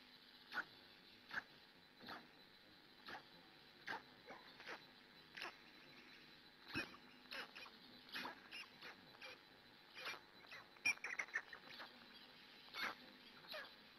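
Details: Hungarian black stork nest at about 6 a.m., the female caring for her storklets, heard through a live-stream camera; rasping, hissy notes repeat roughly every second, with a quicker tight flurry near the end over steady hiss.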